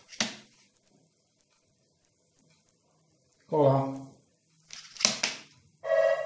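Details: A hungry young crow that fell from its nest, being hand-fed before release, gives two harsh, nasal, drawn-out begging calls of about half a second each; a person's voice and sharp clicks are also heard.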